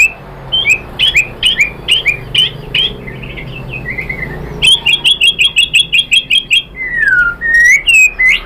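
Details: White-rumped shama song used to provoke rival birds: varied warbled whistles, then a rapid train of sharp repeated chips, closing with long descending and rising slurred whistles.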